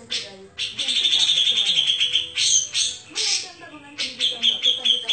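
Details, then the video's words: Grey-cheeked bulbul singing vigorously in the rapid, dense tembakan rapet style. Fast pulsed high trills break into short loud bursts, over a lower layer of chattering, warbling notes. "Suara Cucak jenggot gacor tembakan rapet"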